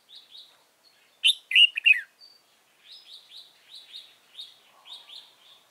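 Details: Decoy red-whiskered bulbul used to trap others, 15 November 2017: soft high notes lead into a loud rich burst of warbling chirps, followed by a steady string of quieter repeated high whistled notes.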